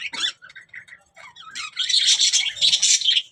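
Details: Budgerigar giving a few separate short chirps, then a rising run of harsh, scratchy high warbling and squawky chatter.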